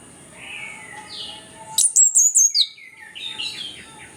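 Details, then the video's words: Orange-headed thrush singing, meant to coax quiet birds into song: soft faint whistles open the phrase, then a sudden loud burst of high, rapid descending notes, followed by quieter twittering. "ANIS KEMBANG GACOR, PANCINGAN AK MALAS BUNYI BIAR GACOR"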